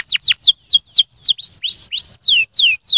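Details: Canary singing a stimulating song: loud downslurred whistles repeated about four times per second, some long and drawn out, in clear isolation.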